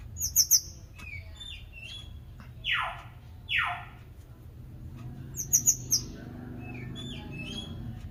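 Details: White-rumped shama with very high, thin chirp clusters and a few softer whistles. Two harsh, rasping downward sweeps are set between them.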